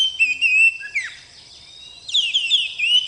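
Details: Kept oriental magpie-robin, bakalan kacer: a long whistled note and a falling slur, then a quiet spell, followed by a rising series of clear whistles near the end.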